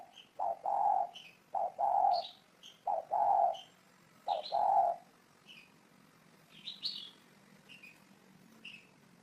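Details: Spotted dove cooing: low, hollow coos in short-long pairs, four pairs over the first five seconds, then quiet; thin high chirps of other small birds run through the background.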